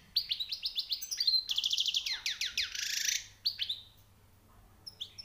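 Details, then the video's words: European goldfinch, recently caught, in song with high notes: a fast series of repeated rising chirps, then a dense buzzy trill of descending notes, a brief silence, and a few final sharp twitters. "غناء_ مقنين_ جديد_ نوطاة_ عاليه_ومفقودة_حسون _صيد جديد_#chant chardonneret"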